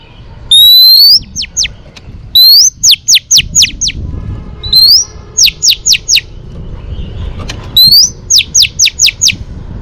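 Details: Oriental magpie-robin hen's stimulating song for training males: loud phrases of an upward-sweeping whistle and a quick string of falling whistled notes, four phrases in a row, with faint softer chatter between them.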